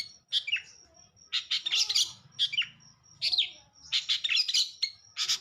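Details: A long-tailed shrike in full, lively song: bursts of sharp, bright chirps and short whistled notes in clusters about a second apart, over a faint low hum.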